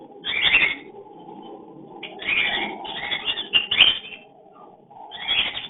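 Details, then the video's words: Cockatiels heard on a hidden camera while breeding and mating. Loud, raspy, high-pitched squawks come in short bursts, with a pause, then a dense run of chirps and a final screech. "Love Breeding / sound voice (mating/Crossing) cocktail love bird"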